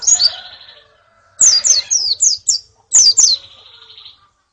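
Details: Female white-eyes and colony calling, used to stimulate a male white-eye's song: sharp, high, descending chips in loose clusters, several quick notes then a pause, some trailing into a thin buzzy tail.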